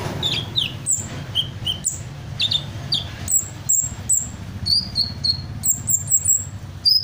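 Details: Hummingbird singing at length and copying assorted bird calls: a lively string of high chirps, downslurred whistles and short repeated notes in varied patterns, given almost without pause.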